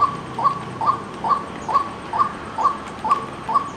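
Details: Repeated waterhen call, white-breasted species: crisp, brief hooked notes at a middle pitch, evenly spaced a little under half a second apart, nine in a row, with low ambient hiss.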